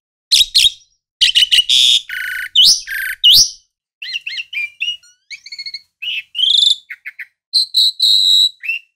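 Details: Asian pied starling delivering a long, varied song: rasping bursts and rising whistles at first, then chattering clicks, short twittered notes and ringing harmonic whistles toward the end.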